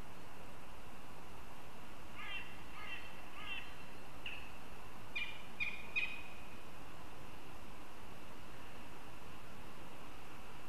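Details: Northern goshawks chatter in Riga on 22 September: a loose run of short, harsh, ringing notes, first softer then louder and grouped in twos and threes over several seconds, against a constant low hiss.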